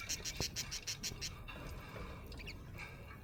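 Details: Happy budgerigar chirping: a quick run of eight bright, evenly spaced ticking notes opening the clip, then softer scattered warble and a few squeaky upward notes over steady low hum.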